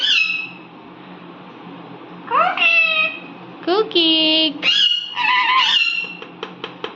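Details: Indian ringneck parrot kept as a pet, talking: a run of harmonic, speech-like syllables. Short rising notes are followed by longer steady-toned bursts and a few sharp clicks at the end, in a quiet room.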